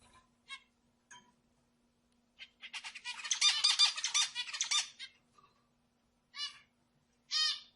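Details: Zebra finch song for stimulating other birds. Scattered nasal beeps lead into a dense three-second phrase of buzzy, honking harmonic notes, then two more separate nasal calls, in a quiet setting.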